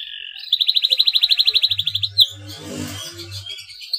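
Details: Male canary in breeding condition, chirping to stimulate rival canaries to sing; a rapid high trill of about a dozen even pulses over one and a half seconds, followed by softer noisy twittering and low background hum.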